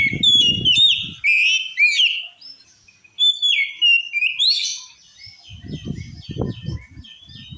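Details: Sustained oriental magpie-robin song, said to make others of its kind furious: dense runs of varied whistles, chirps and slurred notes, accompanied by intermittent low rumbling thuds.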